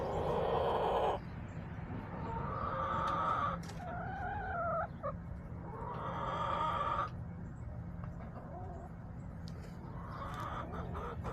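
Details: Backyard chickens recorded March 30, 2024 make several drawn-out harmonic squawks and wavering calls, separated by quieter gaps, over a constant low hum.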